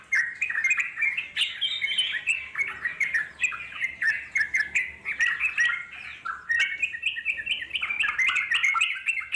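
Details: Wild Yellow-vented Bulbul, long ngeropel song played so wild bulbuls reply; pulsing bursts of bright liquid chirps, swelling and fading roughly every half second, with a short break midway.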